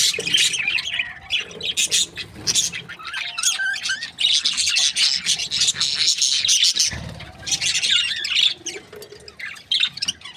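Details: Happy pair of breeding Australian budgies warbling almost nonstop, with dense high twittering and scratchy chatter running through the whole stretch.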